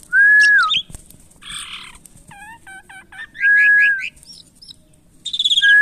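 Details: Captive Asian pied starling during taming mixes a falling whistle, harsh grating bursts, a quick run of hooked chirps and a long flat whistle, closing with a buzzy rising trill.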